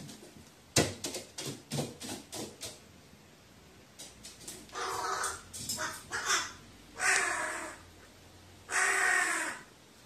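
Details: Crow appearing frightened, vocalizing alone: a rapid run of soft clicking or tapping notes, then a series of hoarse, rasping caws growing longer and louder, the last drawn out.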